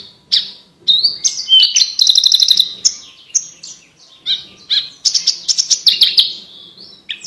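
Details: Varied Javan bush lark song intended as training material for competition birds, mixing high slurred whistles, a fast pulsed trill near the start and repeated clear chirping phrases throughout, no other sounds.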